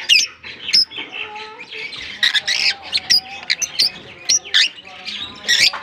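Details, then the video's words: Lovebirds (African) calling together in a colony: repeated loud, harsh squawks and high chirps almost every half second over constant twittering. "African lovebirds colony"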